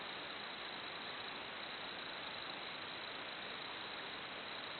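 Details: Continuous even hiss like white noise, steady from start to finish, with no animal calls heard.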